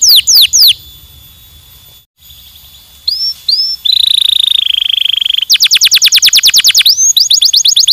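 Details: Stimulating canary song: sharp falling whistles, a pause, two rising notes, then a sustained buzzing roll giving way to rapid, evenly repeated downslurred trills.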